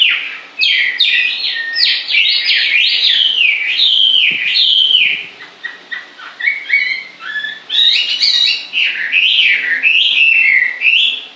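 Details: Long, energetic bird song of rapid zigzagging whistles and chirps in two main bursts separated by a brief softer passage.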